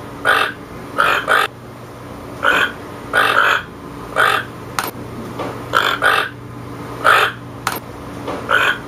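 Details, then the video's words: Toucan calling in a series of hoarse, grunting croaks, often paired in quick doubles, roughly a dozen across the stretch, with sharp clicks between and a constant low electrical hum behind. "Toucan sound"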